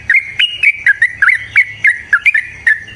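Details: Yellow-vented bulbul in full, aggressive long rapid song, used as a lure to make another bulbul sing; bubbly whistled two-note phrases dipping and rising, repeated about every third of a second with sharp clicky onsets.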